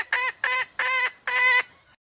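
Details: Female red junglefowl, Sumatra, calling to lure males closer or provoke crowing: four harsh, nasal squawks, the last two longer, spaced under half a second apart.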